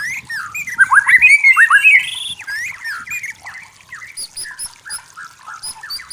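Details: Wild forest white-rumped shama: loud whistled warbling phrase rising and falling, followed by softer chattering notes and scattered high chips.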